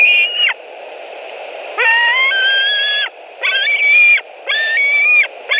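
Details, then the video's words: White-tailed eagles at a Latvian nest on 26 July 2018, one adult bringing a bird as prey and another arriving: harsh, harmonic, held piping calls in bursts of about a second, over a low constant hum. "White-tailed Eagles Latvia nest 2018 07 26 Raims with bird 16:27 and Robis coming"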